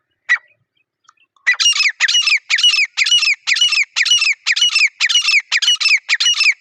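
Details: Jungle partridge (teetar) in the wild: one sharp note, a short pause, then a steady run of loud, rasping, harsh calls repeating about twice a second.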